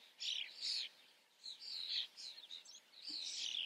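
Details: Common starling calling in a close observation: a run of high, squeaky, scratchy chirps and rising-falling whistled notes in short bursts, with quiet pauses between phrases.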